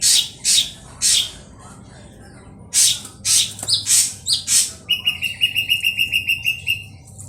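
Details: Ashy drongo lure song for drawing out singing: several harsh, rasping bursts with pauses, then a quick run of about ten clear, evenly spaced whistled notes on one pitch.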